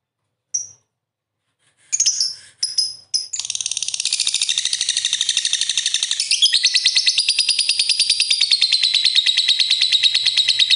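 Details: Lovebird master singer in full voice. A few sharp chirps lead into a long, rapid, unbroken trill of fast pulsed notes that runs steadily for about seven seconds.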